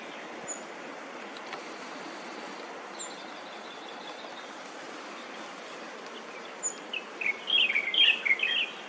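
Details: Ashy minivet recorded 17 April 2022 at Dongyin, Lienchiang County, giving a quick, high metallic jingle of rapid notes near the end, over a steady hiss of background noise.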